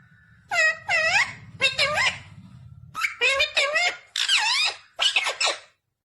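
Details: Talking Indian ringneck parakeet: a string of squeaky, nasal speech-like syllables with rising and falling pitch, in bursts over about five seconds, with a low hum at the start.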